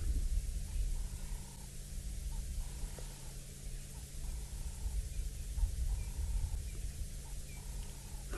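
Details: A group of six southern ground hornbills forages through grass at sunrise on Djuma Game Reserve, 4 September 2017. Deep, low booming hum runs throughout, with a faint higher tone repeating about every second and a few distant chirps.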